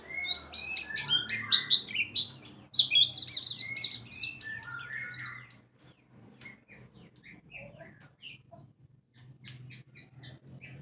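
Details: White-eye lure song meant to make a bird open its beak and sing in ngalas and wiksar style: a rapid, dense run of high twittering and chirping notes for six seconds, then scattered single chirps over a low hum.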